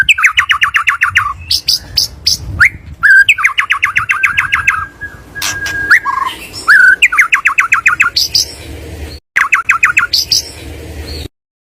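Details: White-rumped shama singing, played to prompt a pastol bird into vigorous song: loud bursts of rapidly repeated clipped notes, a long level whistle and short harsh accents, phrases separated by brief pauses over low background rumble.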